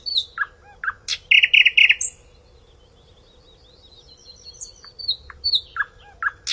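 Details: Nightingale singing in a calm forest with a pure, melodic voice; high, varied phrases of sharp sweeping notes and a rapid buzzy burst, then a pause before more descending whistled notes, over a faint steady hum.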